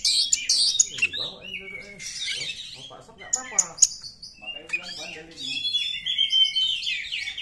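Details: Wild Oriental magpie-robin song meant to trigger caged birds to reply, with bright whistles, high scratchy notes and rapid chatter, some low voice-like sounds mixed in partway through.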